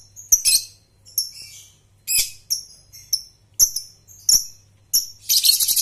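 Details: Young lovebird learning to ngekek, used as a lure recording: high, sharp chirps and short buzzy trill bursts come in separate spurts about every second, ending in a dense rattling burst, over a faint low hum and clicks.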